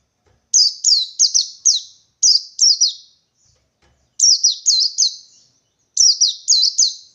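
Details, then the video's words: A wild white-eye from the forest, seeking a rival, sings groups of three or four quick, high, down-swept chirps, the groups coming in a steady pattern with short gaps. "Burung Pleci Ngalas 123 Mencari Lawan"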